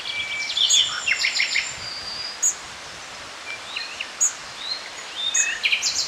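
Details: Hawfinch at Drahovce, Piešťany, Slovakia, giving sharp, very high, explosive 'tzik' ticks every second or two, with other small birds twittering and singing in the background.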